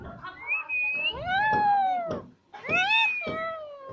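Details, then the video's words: Green Alexandrine parakeet kept as a pet with a companion, talking and dancing, gives drawn-out nasal, meow-like rising notes, two long phrases separated by a brief pause. "Funny Green Alexandrine Dancing And Talking Parrots"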